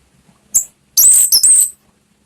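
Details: Orange-headed thrush lure song in the ngeplong style for prompting a pet bird to sing: one sharp high note, then a brief gap and a fast, loud phrase of piercing whistled and slurred notes.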